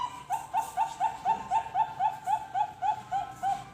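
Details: Zebra dove sound played as a trapping lure: short, regularly spaced coo notes, about four a second, over a noisy, hissing background.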